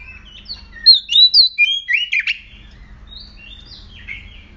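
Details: Aggressive oriental magpie-robin used as a lure to provoke singing: a lively phrase of bright, looping whistles rising and falling, ending in a scratchy note, followed by softer, trailing whistles.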